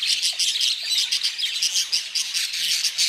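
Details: Budgerigars chattering in a dense, unbroken warble of rapid high chirps, squeaks and short trills, closely overlapping and pulsing several times a second, with no other clear sounds.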